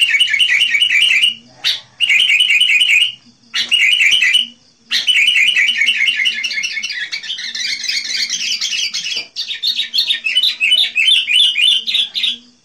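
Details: Actively singing sooty-headed bulbul, played to attract wild birds: rapid buzzy trilled bursts broken by short silences, then a long unbroken stretch of tumbling, jumbled chatter.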